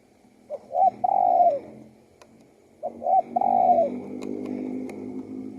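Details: Spotted dove singing two cooing phrases, short notes then a long level coo, while a steady low droning hum rises in the background toward the end.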